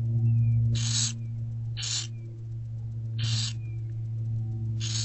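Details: Barn owl chicks in an owl box, fed by their mother during daylight on 15 February 2024: four rough hissing screeches at uneven intervals, faint thin rising whistles between, over a loud steady hum.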